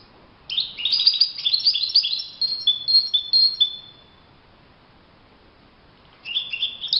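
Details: European goldfinch in the wild, singing in open countryside: a quick tumble of tinkling and buzzy high notes with a few drawn whistles, a long quiet gap, then the twittering resumes.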